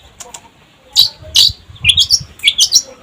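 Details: Long-tailed shrike, known locally as cendet, singing in a lively style. Brief scattered chirps build into a string of sharp, high, scratchy notes, some paired, over faint low rumble.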